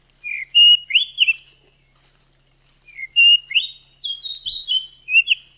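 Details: Oriental magpie-robin female calling to stimulate a male to sing and come into breeding condition; two phrases of varied whistles, rising slurs and short warbled notes, the second phrase longer and more jumbled.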